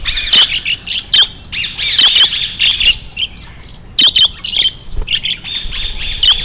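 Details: Grey parrot giving loud, harsh squawks and rasping calls in quick bursts, some with short whistled notes, calling almost without pause through the clip over a low background hum.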